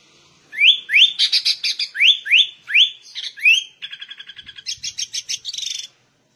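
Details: A vigorous sooty-headed bulbul in ngegaruda style, giving rising whistled sweeps mixed with harsh chatter, then a fast, even trill of short notes and a final burst of buzzy chirps.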